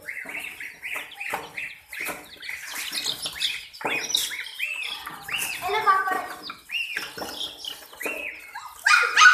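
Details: Frightened chicks attacked by baby ducks and a puppy peep in quick, uneven bursts of sharp, arching chirps from several birds. Some faint voices sound in the background.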